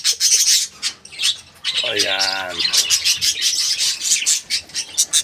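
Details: Captive parakeet colony on 14 January 2025, birds chattering in a busy high-pitched jumble, broken midway by a lower buzzy harmonic call lasting about half a second.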